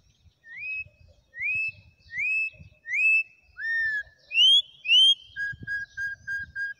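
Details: Corrupião, the campo troupial, singing wild in Brazil: a string of rich, rising whistled notes roughly every 0.7 seconds, one lower falling phrase, then a rapid series of six short level whistles; quiet background.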